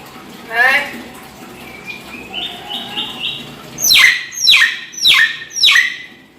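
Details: Hill myna imitating a child's voice: a short voice-like phrase and soft whistled notes, then four loud, sharp descending squawks about half a second apart.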